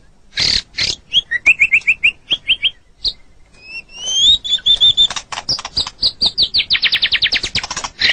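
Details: Captive white-rumped shama singing a training song: sharp high chips, then pure rising whistles, then a fast run of metallic trilled notes repeated many times, all high-pitched and bright.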